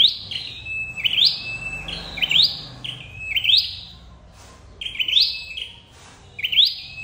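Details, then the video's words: Lure recording of a flowerpecker for trapping birds: bright phrases of a steady high note sliding into a fast rising whistle, repeated roughly every second with brief pauses, plus faint clicks. "Tiếng chim sâu đầu đỏ đi bẫy"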